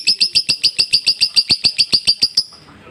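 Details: Lovebird ngekek for masteran tutoring: a burst of about fifteen piercing, evenly spaced high chips, roughly six per second, stopping abruptly after two and a half seconds and leaving faint room noise.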